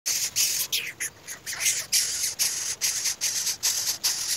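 A Greater Coucal chick gives harsh, hissing rasps, about two or three a second in quick bursts, with nothing else clearly heard.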